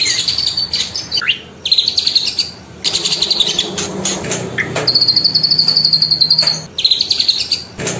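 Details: Cililin song used as a training tutor for young birds, for play in the morning and midday; high, thin chirps and fast trills in bursts, with long buzzy, wavering notes near the top of the range and short gaps between phrases.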